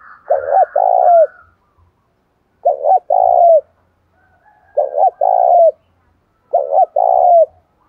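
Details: Spotted dove stirred up to fight in the rainy seventh lunar month, cooing in repeated phrases: two short notes then a longer falling coo, about every two seconds, with a faint higher bird note in the background.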